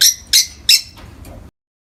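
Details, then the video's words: Peach-faced lovebird calling in morning light: three harsh, high chirps about a third of a second apart, followed by two fainter squeaks before silence. "美しいさえずり 朝の光を浴びる コザクラインコ"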